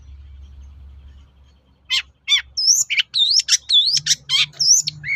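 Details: Long-tailed shrike song, played to draw replies from other shrikes: after a low hum, a burst of loud mixed whistles, slurred notes and harsh chatters in rapid succession.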